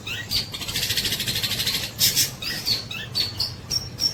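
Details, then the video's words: Actively singing long-tailed shrike mimicking tengkek buto kingfisher calls: a dense, buzzy rattle of high notes for over a second, then short sharp chips and thin rising squeaks. "CENDET GACOR NEMBAK TENGKEK BUTO TEMBUS"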